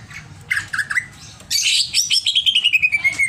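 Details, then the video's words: Greater green leafbird singing in an over-emotional, agitated state: a few harsh, squawky slurred notes, then a quick run of clear whistles that step steadily downward in pitch, with a faint low background hum. "CIRI CUCAK IJO OVER EMOSI"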